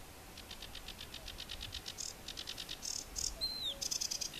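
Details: Sedge warbler singing south of Västerås airport, Sweden: rapid run of high, dry chattering notes repeated in quick succession, ending with a short upward whistle and denser buzzy phrases.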